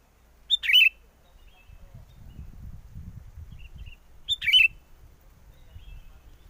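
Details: Sooty-headed bulbul used as a lure for trapping birds in strong wind: a short liquid warbled phrase repeated about four seconds apart, with gusty low wind noise between.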